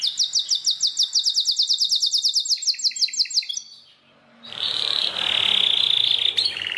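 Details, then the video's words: Belgian canary delivering a rapid series of high descending chirps, around six per second, fading out, followed by a loud hissing, buzzing noisy stretch. "O canto canário mais espetacular #85 - OUÇA ISSO e seu CANÁRIO BELGA VAI CANTAR MUITO!"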